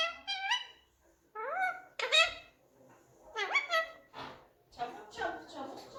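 Rose-ringed parakeet talking: five or six short bursts of high, squeaky, nasal speech-like phrases with sharply rising tones, spaced about a second apart, indoors.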